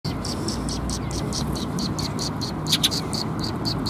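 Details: Sparrows arriving to be fed at a water bridge on 1 April 2021: a steady run of short, bright chirps repeated several times a second from several birds, over a constant low rumble of traffic.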